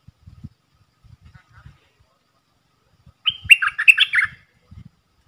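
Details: Red-whiskered bulbul decoy with a three-part song and rapid flourishes, for training young birds and luring wild birds: a fast run of jumbled, bright whistled notes lasting about a second, with soft low tapping before and after.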